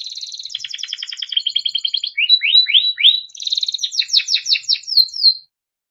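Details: Timbrado canary's melodic training song: a grating rolled trill, a run of three loud downward swoops, then fast chopped notes ending on a high held tone.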